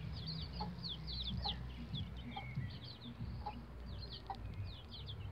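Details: About 11-day-old bantam Rhode Island Red chicks using a chicken ladder. Bright, downward-sliding peeps come in quick runs over a steady low hum, with small knocks and soft lower clucks between them.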